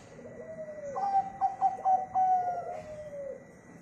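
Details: Local zebra dove used as a singing lure: rapid clipped notes flowing into a sustained coo, overlapping a lower, softer coo from another dove.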